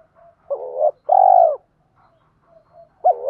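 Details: Spotted doves, male and female, calling to prompt cooing: one full deep phrase of a wavering note and a long sustained coo, faint background dove notes, then the next phrase starting.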